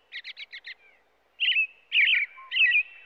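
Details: A quick run of five short high chirps opens, then an American robin delivers three fuller warbling whistled phrases separated by brief pauses.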